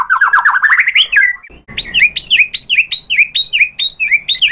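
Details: White-rumped shama provoked into replying: a fast rising run of sharp notes, a brief pause, then a long series of repeated high whistled phrases, each with a quick upward flick and downward slur, delivered loud and steady.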